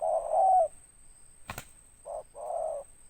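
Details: Spotted dove with a big ngeruk-style voice and tindan ending: a long low coo, a sharp click midway, then a short hoot and another sustained coo, over a faint steady high hum.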